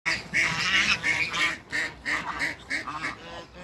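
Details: Male Toulouse goose in a backyard facing a pair of Muscovy ducks: a quick run of harsh, nasal honking calls, several per second, rising and falling in loudness.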